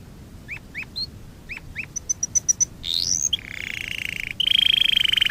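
A canary sings a varied run: short upslurred chirps, a series of five high pips, a rising buzzy sweep, then fast rolling trills.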